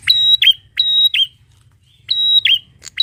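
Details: A bar-winged prinia sings loudly, giving bright level whistles that drop into crisp chips, two phrases, a pause, then the pattern resuming.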